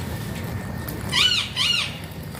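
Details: Alexandrine parakeet uttering a pair of loud, harsh, arching screeches about half a second apart, rising then falling in pitch, over a quiet low background hum.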